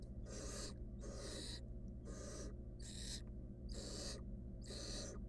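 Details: Wild barn owl nestling in a monitored nest box, trying to eat a stolen rodent alone; rasping hiss bursts repeat roughly once a second, with steady low hum throughout.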